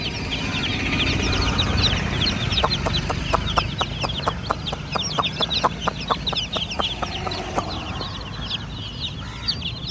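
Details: Baby chickens peep in high, thin chirps beneath a rapid run of sharp clicks or taps through the middle, over a loud low rumble.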